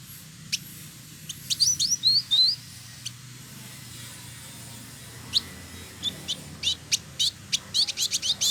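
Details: Male village indigobird, a caged songbird in Bandung, West Java, Indonesia, sings in bursts: brief high chirps and a few rising whistled notes, then a later run of sharp clicking ticks, with quiet gaps between.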